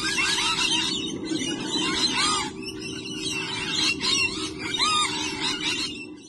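Lorikeets chatter constantly with harsh, high screeches and shrill squeaks that overlap throughout, over a steady low hum.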